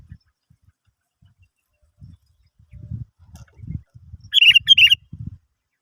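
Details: Sooty-headed bulbul phrase used to prompt other birds to sing: low thuds and rustling knocks at first, then two loud bubbly warbled bursts near the end.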